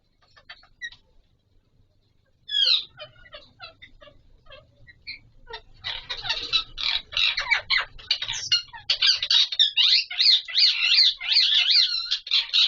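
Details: Mating Pahari Kashmiri parrot, an Alexandrine parakeet: after a few soft notes, loud harsh screeches and squawks build into a rapid, nearly continuous scratchy chatter toward the end, over a faint low hum.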